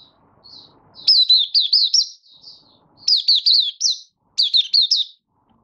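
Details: Opening song of a caged Malaysian Oriental white-eye in minor moult, 24 August 2023: three loud bursts of quick, high, looping chirps, each lasting about a second, with faint soft twittering between them.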